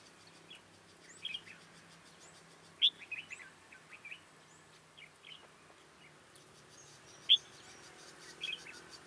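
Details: Red-whiskered bulbul recorded while being trapped with a decoy bird: scattered short bright whistled phrases and chirps in a quiet outdoor setting, with faint insect buzzing behind.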